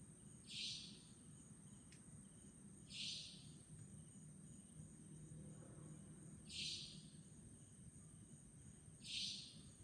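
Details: A Savanna Nightjar in Chunghsing New Village, Nantou, Taiwan, on 11 April 2018 gives four sharp, high, buzzy 'tchweet' notes, one every two to three seconds, over a steady high insect hiss and low rumble.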